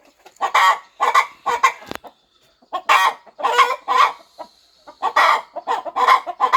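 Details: Mother hen on a farm, settling over her nest as she prepares to hatch her eggs: throaty clucks in short bursts of two or three, broken by brief pauses and one sharp click.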